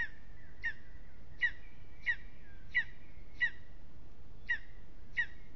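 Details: Lesser spotted eagle at an aspen nest in Aizkuja, Latvia, on a restless evening. It gives seven high, piercing yelps at slightly uneven intervals, with a faint sustained whistle-like tone in the background.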